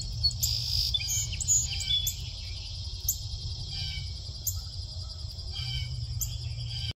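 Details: In the morning, a Carolina chickadee gives short, high, thin chirps, irregular and a few each second. A steady high hiss and a low rumble run underneath.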